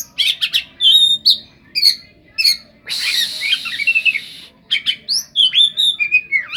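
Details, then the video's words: Oriental magpie-robin (kacer) song with cetdet-flavoured fill-ins: crisp whistled chirps, then a sustained harsh scratchy rasp lasting about a second and a half, followed by more bright upslurred whistles. "Ful isian rasa burung cetdet"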